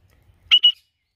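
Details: A free-flying male conure in a rainforest-like spot gives a contact call, two quick, harsh, raspy squawks in close succession; conures call back less than cockatiels as they don't go far.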